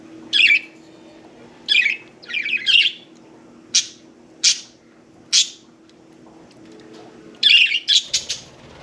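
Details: Budgie parakeets kept as pets, one bathing, calling in a steady series of short raspy chirps and squawks spaced about a second apart, with a quick cluster of harsh notes near the end.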